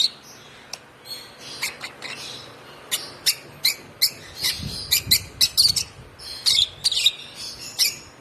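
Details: A one-month-old African lovebird chick, hand-fed since two weeks old, chirping in thin, high notes that begin sparse and quicken into a dense run of rapid chirps in the second half, with faint low background rumble.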